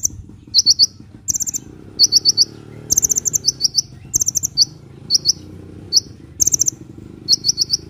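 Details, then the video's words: Sunbird singing eagerly, meant for luring birds and prompting idle ones to sing: bursts of three or four rapid, very high chirps repeated about every half second over faint background hum. "SUARA BURUNG KOLIBRI GACOR‼️ [bisa buat pikat & yg males bunyi"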